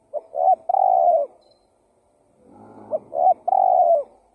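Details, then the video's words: Lure recording of a spotted dove: two three-note cooing phrases, short, short, then a long soft hoot, separated by a faint low rumble. "Suara Pikat Burung Tekukur Gacor KUK 1"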